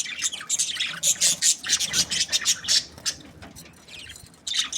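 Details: Budgies chirping busily, a fast run of sharp, high squeaky notes and chatter in rapid succession, then a brief lull before more chirps at the end.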